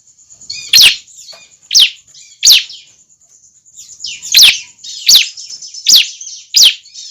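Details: Calls of a young bar-winged prinia, used for luring other prinias: seven clipped, high, descending chirps, three spaced early on, then four at a regular pace about every three-quarters of a second, with a faint high hum behind.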